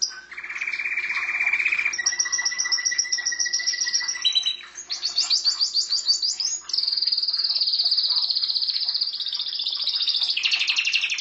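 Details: Canary kept as a pet, singing continuously: rapid trilled phrases at changing pitches, a low steady whistle, a buzzy rolling section, then a long high bright trill; no other sounds stand out.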